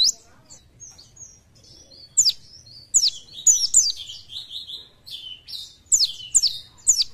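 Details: Oriental white-eye, a Buckpar-type bird described as fit and in full voice, gives sharp high downslurred chips and short twittering bursts separated by brief pauses.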